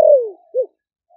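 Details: Spotted dove from Ninh Thuan, Vietnam, caged four months after capture, giving deep 'thổ đặc' style coos to lure wild doves. A long, smooth, falling coo is followed by one short rounded note, with silence after.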